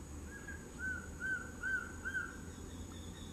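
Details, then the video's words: Male collared trogon singing: four soft, evenly spaced mellow notes at a steady mid pitch, each slightly rising then falling. A constant high hum runs throughout over a low rumbling background. "CANTO DO SURUCUÁ-DE-COLEIRA"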